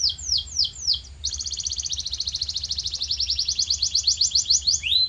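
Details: Canary song used as training audio to shape a caged canary's voice: three quick descending whistled swoops, then a long fast trill of rapid repeated high notes that gradually grows louder, ending in a falling whistle; low steady hum beneath.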